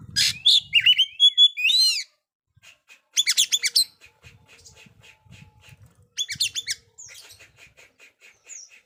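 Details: Oriental magpie-robin singing to prompt silent young birds: bursts of loud whistled and rasping phrases separated by gaps, with quieter repeated ticking notes and low thumps between them.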